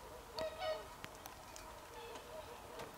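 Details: Swans recorded on 24 December 2020: two quick trumpeting honks near the start, then only softer, distant honking from other birds over a light hiss.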